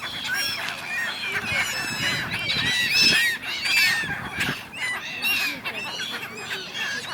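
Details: Kyiv, Ukraine, River Dnipro in January, a crowd of gulls squabbling: loud, overlapping arched wails and yelps, peaking around three seconds in, calls coming roughly every half second or so.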